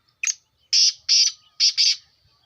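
Black francolin giving a loud, harsh, grating call: a short opening note, then two rasping paired phrases, repeated in about two seconds.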